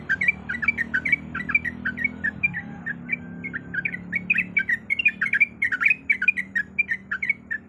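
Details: Sooty-headed bulbul hen in breeding condition calling for a male, giving a steady stream of short squawky chirps, several each second, with a soft low rumble beneath.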